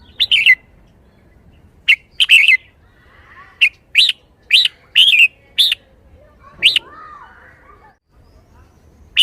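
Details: Red-whiskered bulbul in a cage showing liveliness: sharp chirped notes repeated at irregular intervals, some doubled, with faint soft warbling and a quiet rustle in between.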